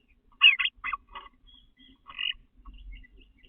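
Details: Male eastern bluebird in a backyard in the nesting season, 29 April, gathering pine straw from flower beds for a nest: short warbled chirps and quick rising-falling notes in small bursts, with pauses and faint low rumbling.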